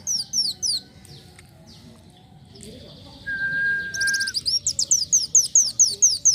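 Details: Lively Van Hasselt's sunbird song for training other birds: high, thin, slurred sweeps in quick runs, broken by a long flat whistle, then a rapid series of sharp rising and falling notes.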